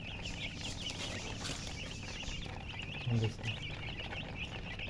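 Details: Just-born chicks chirping loudly as a group, dense high peeps running steadily throughout, with a brief low thump and some background murmur partway through.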